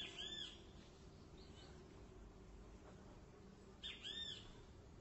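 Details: Great kiskadee song: two short, arched, slightly harsh notes with overtones, one at the start and one near four seconds, separated by a quiet gap over a steady low rumbling background.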